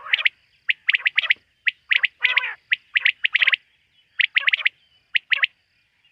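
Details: Night-time quail calls: rapid clusters of two to four sharp, bright chirps repeated about every half second, with one buzzy harmonic rasp near two seconds and a clean, quiet background.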